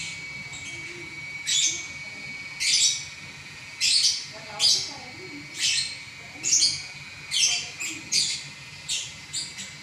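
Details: Champion lovebird singing continuously: a run of sharp, high, rasping chirps spaced roughly every second, some doubled into quick pairs, over a low steady background hum.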